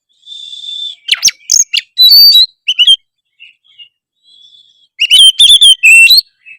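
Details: Oriental magpie-robin in full, actively delivered song meant to provoke other magpie-robins: bright whistled notes and sharp rising and falling sweeps in two dense bursts, with a softer steady whistle at the start and quiet gaps between.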